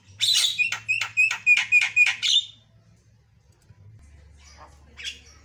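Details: Javan myna singing prolifically: a loud sequence of about eight harsh, buzzy pulsed notes repeated quickly, then quiet with a couple of faint chips and one short final squeak over a low hum.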